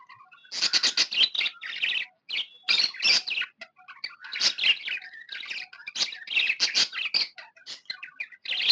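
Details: Budgie in a happy mood, tamed and kept as a pet, chattering nonstop with scratchy chirps, squeaky whistles and buzzy trills in irregular bursts over nearly nine seconds.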